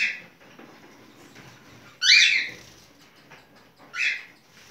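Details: Cockatiel singing while mating: a soft chirp at the start, then a loud rising whistled screech and a second shorter harsh note after a pause.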